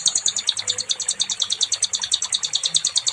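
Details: Nightingale song prepared as training material for other songbirds: a fast, steady run of high, bright chipping notes, about three per second, with faint low background murmur.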